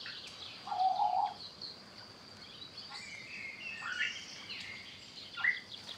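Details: Whistled calls of an African grey parrot: a flat sustained whistle, then softer slurred notes and a short upward whistle near the end, against a steady high background drone.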